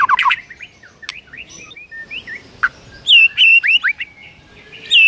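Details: White-rumped shama in the morning, rich fill-in song: scattered short slurred whistles and a sharp click, then loud clear looping whistles repeated in quick succession.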